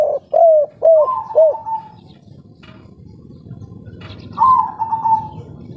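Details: Local spotted dove giving its 'kuk 3' song, full and clear: four quick curved coos leading into a drawn-out level tone, a long hushed gap, then another stretched, slightly trembling higher note.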